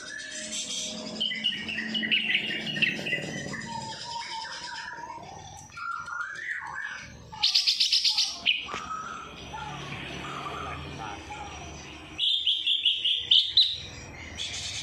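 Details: Greater green leafbird singing an isian kapas tembak song, a varied medley of chirps, trills and whistled phrases that shift in pitch, with short loud buzzy bursts and pauses between passages.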